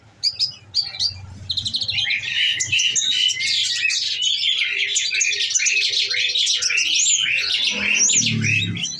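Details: Kept olive-backed sunbird fed with nectar, pouring out a dense, continuous chattering song in the 'nembak' shooting style: a few isolated high chips, then a rapid, unbroken run of twittering notes lasting several seconds.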